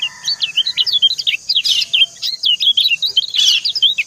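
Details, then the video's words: High, tinkling white-eye chirps run almost without break, a female coaxing the male with quick rising and falling notes, with two brief harsher accents partway through. "Suara ciak kecial betina mendayu merayu jantan"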